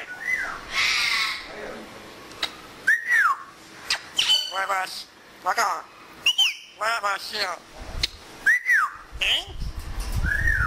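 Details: Pet African grey parrot talking in Urdu and Pashto while enjoying the weather: a run of mimicked word-like phrases, rising and falling whistled notes, and harsh squawks, delivered in quick bursts with brief gaps.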